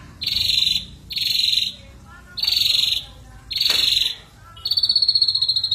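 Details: Ashy drongo in active song for lure use: four harsh, buzzy rattles, each about half a second long and spaced about a second apart, followed by a higher, thinner rattle.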